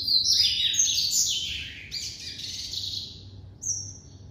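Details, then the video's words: A captive-bred White-collared seedeater sings a fast, varied run of high, sweet warbled notes and trills, with a brief pause before a final thin whistle. "Coleiro Branco"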